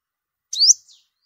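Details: Olive-backed sunbird, used as a lure for trapping during migration season: one high, bright chirp sweeping steeply upward and then trailing off, followed by a faint soft echo-like note, in silence.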